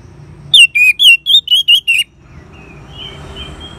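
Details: Ngeban-style song of an orange-headed thrush, played to spur caged birds into song: seven loud ringing whistles in a rapid even series over about one and a half seconds, then soft thin whistles over background hum.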